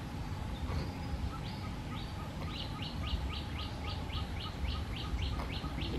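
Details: Baby bird in the nest waiting for food from its mother: a rapid run of short, high, downslurred chirps, about four each second, over a steady low rumble and faint regular pips.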